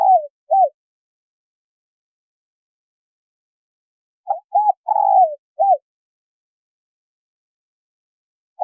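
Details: Male and female spotted doves calling to lure wild birds: brief low coo notes in a tight bout of four to five, one longer falling coo among them, with long silent stretches before and after.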